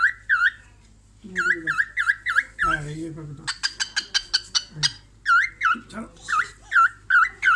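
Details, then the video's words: Cockatiel looking at her reflection in a mirror, making laugh-like sounds: many repeated dipping whistles in series, a burst of rapid sharp clicks mid-way, with brief human voices underneath. "Cockatiel bird watch her in mirror and funny laugh"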